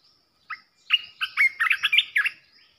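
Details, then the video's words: Decoy song of a Red-whiskered bulbul, aimed at provoking other bulbuls: a short opening note, then a quick, cheerful string of bubbling whistles, with thin high chirps above. "เสียงนกกรงตาแดงEp.16 Birds sounds เสียงต่อนกกรงตาแดงตัวดุๆ"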